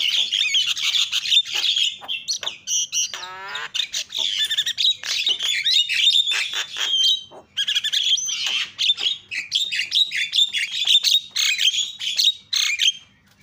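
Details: Javan myna chattering loudly throughout, a lure meant to set other mynas calling: continuous harsh squawks, sharp whistles and a ratcheting, descending rattle near the middle, with barely a pause between notes.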